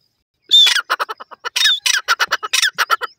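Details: Grey francolin (teetar) giving a loud, harsh call series: after half a second of silence, a thin whistled note opens a rapid run of about fifteen short, grating, squawky notes in under three seconds, with no other sounds.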